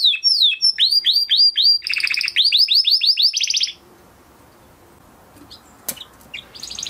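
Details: Training song from a Huppe Spanish Timbrado canary of 2020 breeding, kept in a flock: rapid repeated downsweeping notes and a buzzy rolled phrase, then the song stops, leaving quiet room noise, a click and faint chirps.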